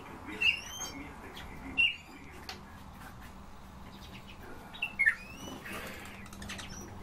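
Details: Eurasian bullfinch calling: short, soft whistled notes, some with a falling tail, given singly about every second or two against a faint steady background hum.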